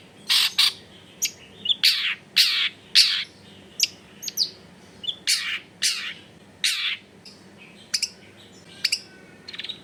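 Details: Long-tailed shrike used as a tutor recording to get silent shrikes singing, recorded at a home in a crowded neighbourhood. Loud, harsh, rasping bursts alternate with short high notes, each about a second apart.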